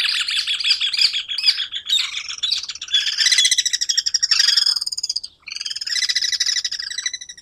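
Guira Cuckoo giving loud, harsh, rapidly repeated notes in rich chattering bursts, pausing briefly before a second run.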